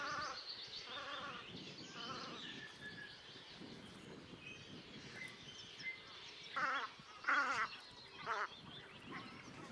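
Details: Velvet scoters in Liepāja, Latvia, in March 2024 give short, nasal, bleating calls in brief overlapping bursts, with a thin whistle between and a steady background hiss.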